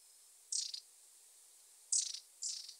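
Long-tailed tit giving three short, very high, rattling 'tsirrr' bursts, each about a quarter-second, spaced unevenly over three seconds; otherwise quiet.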